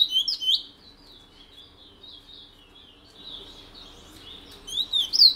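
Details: Long-lived caged Picolette in French Guiana delivering its Matiti regional song, a continuous chain of high sliding whistles that fades slightly midway before returning loud and twittery, over faint background noise.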